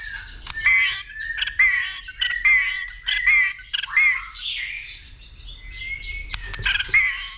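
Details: White-rumped shama's fighting song, excited by a female with continuous clicking and tail flicking: bright whistled phrases repeated about once a second, each with harsh overtones, then a long high whistle and a scratchy flourish.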